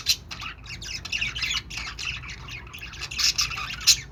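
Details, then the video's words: Continuous high, raspy budgerigar chattering with quick chirps and squawks, louder sharp notes near the end. "budgie birds | budgie sounds | love budgie | budgie voice|"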